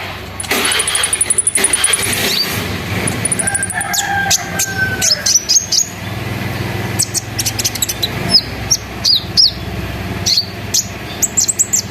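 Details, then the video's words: Sunbird song used as a lure to get other sunbirds singing: rapid high thin trills of repeated notes, sharp chips and short buzzy phrases, with a steady low rumbling noise underneath. "PANCINGAN KONIN NGERIWIK NGEROL NEMBAK GACOR BIKIN KONIN LAIN IKUT BUNYI"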